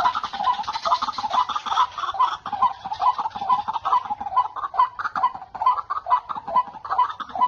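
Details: Wild white-breasted waterhen males at a spot full of the birds, where a decoy bird was ignored; repeated harsh croaks about twice per second over a busy background of other waterhens.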